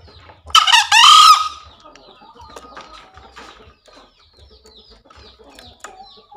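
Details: Green junglefowl call played daily as a tutor sound for birds newly caught from the forest or reluctant to call: one short, loud, hoarse crowing burst, followed by faint scattered clucks and low background noise.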